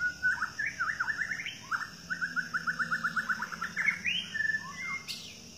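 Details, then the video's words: Wild White-rumped shama of the Medan type in forest, singing a melodious song: fluid whistled phrases, then a rapid even trill of about a dozen repeated notes, ending in rising slurs, over a steady insect drone. "Ketemu "Murai Batu Medan di Alam Liar" | Suaranya Merdu"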